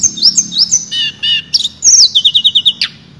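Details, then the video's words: A little pied flycatcher, a kept bird noted for mimicking other species, sings in full voice: very high, thin whistled notes slurring up and down, then a quick run of about eight repeated sharp notes. "Burung Tledekan Gacor Suara Nyuling Muntahin Isian"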